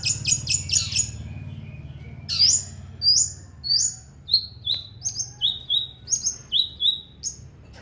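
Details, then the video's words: Prize-winning long-tailed shrike at a shrike-class bird contest delivering 'tengkek buto' imitation: a quick burst of shrill notes, then loud sharp downslurred whistles repeated twice a second, steady and insistent, in a quiet background. "BURUNG PENTET PRESTASI TEMBAKAN TENGKEK BUTO"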